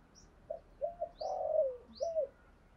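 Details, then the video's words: Spotted dove cooing in the 'thổ sấm' voice style: one short phrase of low, soft coo notes with a longer drawn middle note, over a hissy background with faint high chirps from another bird. "cu gáy thúc gù giọng THỔ SẤM. tiếng chim cu gáy kích bổi giọng thổ"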